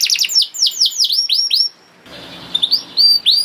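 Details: Canary song for training young birds: a quick run of falling whistled notes, a short pause with faint room noise, then a few higher upslurred whistles.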